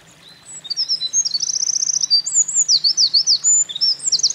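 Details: Singing Eurasian wren at a mountain pass, 28 April 2024, after carrying nesting material; a burst of very high, tumbling notes with quick rattling trills and repeated sharp downslurred chips, loud and continuous over a faint low background hum.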